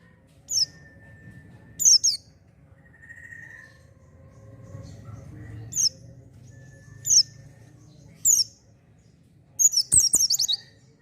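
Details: Oriental white-eye singing to stimulate newly caught birds: sparse single high, downslurred chirps spaced a second or more apart, ending in a brief rapid twittering burst, with a soft low hum behind.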